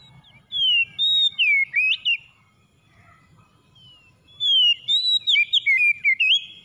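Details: Oriental magpie-robin (kacer) song, played to get a stressed bird that has stopped singing to sing again: two bursts of loud, clear whistled phrases with sliding, rising and falling notes. A quiet gap with low murmuring background noise separates them.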